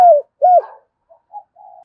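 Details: Spotted dove decoy cooing to draw in wild doves: two brief, loud, falling coo notes followed by softer, fading murmurs.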